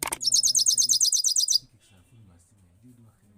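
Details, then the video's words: Single rolling sound from a European goldfinch in 2022: a quick, high, evenly pulsed trill of about a dozen identical notes, with a low murmuring hum continuing afterward. "Gold finch singing one side only one sound rolling / singing of gold 2022"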